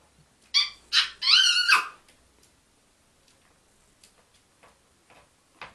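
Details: African grey parrot talking to the household dogs indoors: a few loud, sharp harmonic syllables in quick succession, the last a longer wavering phrase, followed by near silence with faint clicks and taps.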